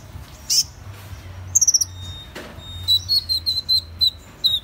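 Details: Leptocoma brasiliana, Van Hasselt's sunbird, gives scattered high notes: a lone sharp note, a brief rapid stutter, then a steady series of short thin chips about every quarter second, softer against background hiss.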